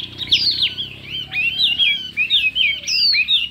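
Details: Hwamei fighting song in a singing contest, fiery and varied: twisting slurred whistles, quick warbles and a high downslurred note near the end.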